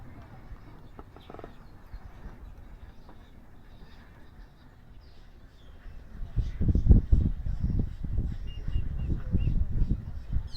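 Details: A confiding double-crested cormorant at Wakodahatchee Wetlands, Palm Beach County, Florida, gives deep, guttural croaks, a call not often heard, in a rough run of low grunts after a quiet outdoor start.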